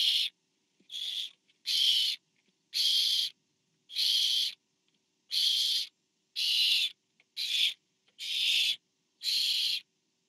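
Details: Camera-watched barn owl nest, 24 September 2015, a parent delivering food to owlet number four; about ten raspy, airy screeches, some shorter and softer, coming roughly once a second, with small taps between.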